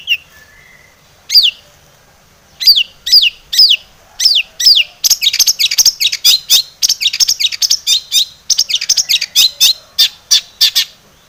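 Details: Long-tailed shrike singing in full varied song as a lure to provoke other shrikes: several clear downslurred whistles spaced apart, then a fast run of sharp, high chattering notes.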